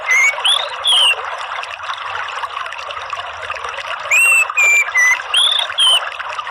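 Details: Orange-headed thrush song used as a lure (pancingan ngeplong) to prompt other birds into singing: clear, loud whistled notes, some rising and some falling, in short bursts over a steady rushing, trickling background.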